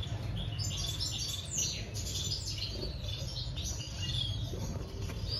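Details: Breeding society finches chirping in quick, high, scattered notes, with some soft flutter-like sounds and a constant low droning hum in the background.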